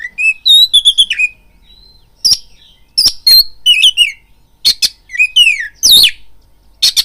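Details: Kacer, or oriental magpie-robin, lure song played to trigger fighting excitement in another bird: quick chirped whistles, a pause, then loud rasping bursts alternating with sweeping slurred whistles.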